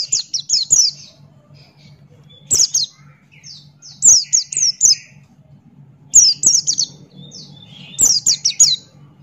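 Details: Male Buxton's white-eye singing in full 'ngalas' style with beak open: bursts of very high, sharp, down-slurred chirps, each phrase of four to six notes repeated about every two seconds over a steady low electrical hum.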